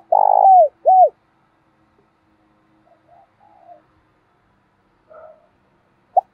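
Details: Spotted dove used as a decoy for attracting wild doves opens with a long loud burry coo and a shorter falling hoot, then several seconds of quiet soft murmurs before one clipped note at the end.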